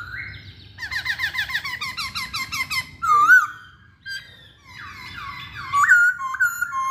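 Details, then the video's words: Masked laughingthrush singing, the song serving to draw other birds into singing: a fast series of chattering hooked notes, a loud wavering whistle, then more chatter and bright looping whistles. "Burung Poksay Hongkong Gacor"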